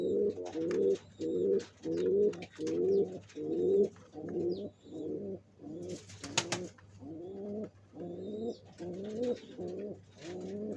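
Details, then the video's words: Pigeon cooing while building a nest for egg laying; deep, rolling coos repeated in regular pulses about once a second, each with a wavering pitch, with occasional clicks and faint chirps behind. "الطيور تبني العش لوضع البيض"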